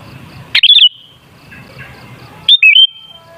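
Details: Song of a sooty-headed bulbul, played as a lure for bulbuls: two clear whistled phrases about two seconds apart, each a quick run of three to four notes that climbs, dips and levels off.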